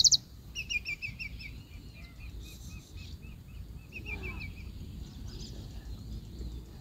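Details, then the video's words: Rufous-collared sparrow (Zonotrichia capensis) singing a steady run of short, clear, high chirped notes, about four a second for four seconds, over a low rumble of background noise. "Gorrión Chingolo cantando"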